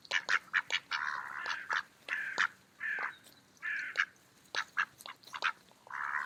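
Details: Feeding mallard ducks in an autumn park mix sharp short quacks with longer drawn-out, raspy quacking notes, overlapping callers giving a busy chorus.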